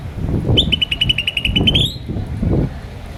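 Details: Green starling chirping: a rapid, even series of high chirps that rises at the end, over low rumbling background noise.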